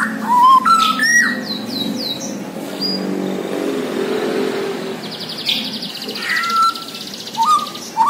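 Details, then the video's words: Singing Borneo white-rumped shama: rising whistled phrases and quick high chips at the start, a stretch of rushing noise, then more clear rising whistles near the end. "MURAI BORNEO GACOR DARRR DERRR DOORRR"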